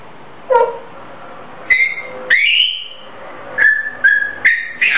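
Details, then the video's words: Captive grey parrot performing its own improvised tune; clear whistled notes, some sliding upward, others held steady, in irregular groups with short pauses in a quiet room. "Gray parrot - 灰鸚 Cuckoo 唱自創曲"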